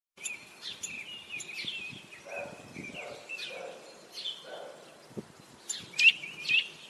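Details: Eurasian nuthatch at the nest in Parque das Pedras Salgadas, Vila Real, on 2 April: a run of high, sharp chirps and short trills, then two loud, clipped upslurred notes near the end, with faint lower murmurs in between.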